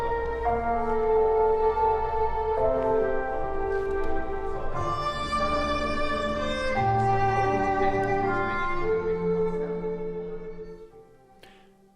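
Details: Orchestral string music plays throughout, with sustained bowed violin and cello notes fading out at the end; no animal sounds.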